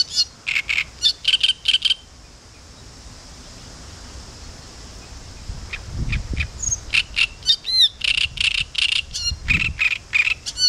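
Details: Great reed warbler singing at Spasskaya spit on the Southern Bug: bursts of harsh, grating chattering notes with a few squeaky whistles, a four-second pause, then a longer burst. Low rumbling background noise.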